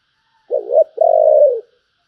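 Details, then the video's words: Spotted dove cooing in the thổ voice style, bầu-type: one phrase made of a choppy two-part lead-in, then a long, even, hollow coo that drops slightly at its close. Nothing else audible. "cu gáy giọng thổ, Bầu nghe rất hay"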